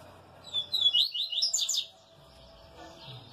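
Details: Pardo double-collared seedeater giving a rapid run of high, chattering and twittering notes lasting about a second and a half, then quiet with faint low background noise.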